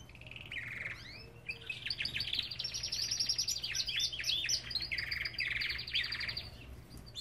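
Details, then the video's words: Belgian canary singing in an aviary: a continuous rapid warbling trill of closely spaced chirps, rising and falling, lasting most of the clip over a low hum. "Lindos cantos de canários!"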